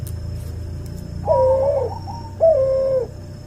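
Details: Cuhu dove, a hybrid of a white albino puter and a puter pelung, used as a tutor recording: two drawn-out, mellow coos about a second apart, each a slightly wavering tone, over a low, steady background hum.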